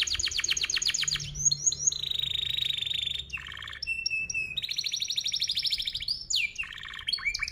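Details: Canary in full song with a long, tight roll, used as a lure for young canaries: fast pulsed trills alternate with buzzy sustained rolls, whistled sweeps and quick chirping phrases, changing every second or so.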